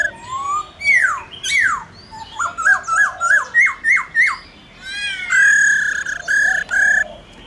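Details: Wild-type laughingthrush song calling to a wild bird, with a female's rolling calls, used to stimulate captive birds: loud varied whistles, six quick slurred notes about every half second, then long clear sustained whistles.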